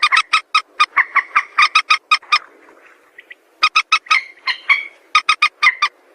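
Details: White-breasted waterhen used as a lure for bird trapping, giving rapid runs of harsh croaking notes, a brief quieter murmur mid-way, then the clattering series resumes.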